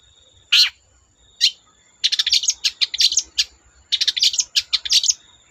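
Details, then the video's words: Long-tailed shrike singing energetically to draw other shrikes into song: a harsh downward burst, a pause, then rapid runs of short chattering high notes in two clusters, with a faint steady high tone throughout. "Burung cendet gacor Bikin cendet bahan terpancing ikut gacor"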